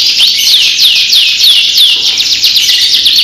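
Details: Champion canary from Central Java, Indonesia, singing in the giring style: loud, continuous high trilling with rapid rolling notes and repeated downward slurs, steady and unbroken throughout.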